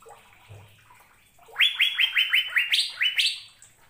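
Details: Asian fairy-bluebird song, a training recording for caged birds, starting after a quiet pause with a series of about ten loud upslurred whistles. Each whistle rises quickly and levels off, repeating several times a second, with some pitched higher.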